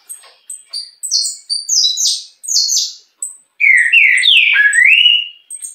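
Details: A saffron finch of an unusual mutation sings a run of sharp high chirps that quickens, then breaks into a lower, louder warbling phrase with swooping, rising and falling notes.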